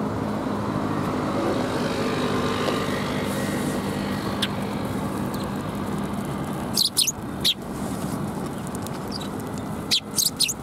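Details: Sparrows fluffed up against the cold on 1 February 2021, heard over a steady low rumble of traffic; a cluster of quick, high chirps breaks out in the last few seconds, several in rapid succession.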